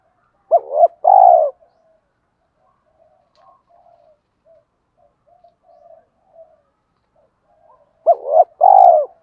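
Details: Spotted dove call used to lure wild doves, cooing in two low, hollow phrases of short hooked notes and a longer drawn coo, at the start and again near the end, separated by a quiet gap of faint murmurs.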